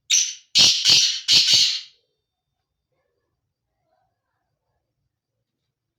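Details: Male black francolin breeding call: a short scratchy opening note, then two harsh grating double notes in rapid sequence, followed by about four seconds of silence before another note begins.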